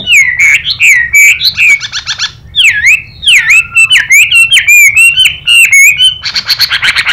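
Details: Chinese hwamei song with a female's hissing calls: repeated looping whistled notes that dip and rise. Two stretches of harsh, buzzy rasping break in, one early and one at the end.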